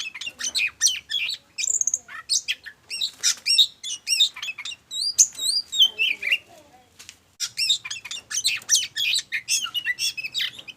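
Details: Oriental magpie-robin song used as a lure to get other birds singing, billed as lively and fiery: varied high whistles, sharp chirps and looping wavy notes in quick, irregular phrases, with a short pause midway before the rapid outpouring resumes.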